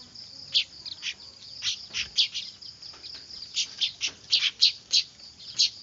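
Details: Rapid, excited chirping from noisy weaver (manyar) chicks, used to lure birds: high, squeaky notes tumbling close together, growing busier toward the end.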